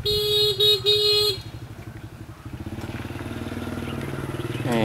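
A steady horn-like tone opens, then a motorcycle engine idles with fast, regular putting pulses, with faint speech in the background; no animal sound stands out.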